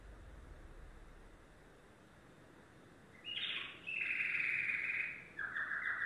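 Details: Yellow domestic canary singing: about three seconds of near silence, then bright rolled phrases around high pitch, a buzzy burst followed by a long steady trill and a short lower rattling tour.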